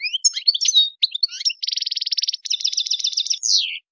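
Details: European goldfinch with a wild-style chon khalawi song: lively twittering that gives way to two dense, buzzy rattles and ends on a loud, drawn-out descending slur.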